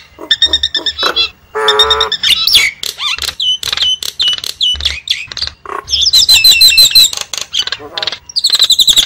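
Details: Lure sound of the Javan myna: busy chatter of sharp clicks, a buzzy nasal squawk, looping whistles and trilled phrases, delivered quickly and irregularly with short gaps.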